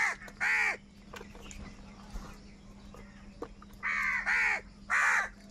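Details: Crows fighting for food: a pair of hoarse caws, a quiet pause with faint clicks, then three more loud rasping caws close together near the end.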